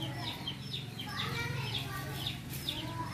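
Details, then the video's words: Wild Javan mynas living free and tame alongside people, not caged: harsh, chattering notes repeated rapidly over a steady low hum, with soft human talk underneath. "Bermain bersama Jalak Kebo liar"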